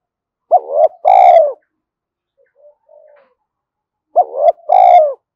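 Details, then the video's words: Spotted dove cooing, played to stir newly caught doves into calling quickly: two loud low phrases, each a short wavering note then a longer falling coo, about 3.6 seconds apart, with faint soft coos between. "tiếng cu gáy kích bổi nhanh nổi hiệu quả mỗi ngày"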